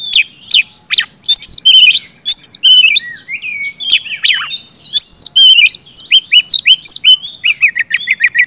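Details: Oriental magpie-robin in full, continuous song, used to stimulate silent birds to sing: loud varied whistles, sharp downslurred notes and rasping bursts, ending in a fast run of repeated rising chips.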